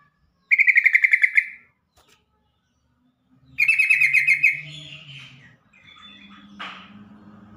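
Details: Calling sound of the yellow-vented bulbul, used so other bulbuls answer fast and stalled, stressed birds begin to sing: two quick trains of sharp, rattling high notes about three seconds apart, followed by softer warbled phrases and a low hum.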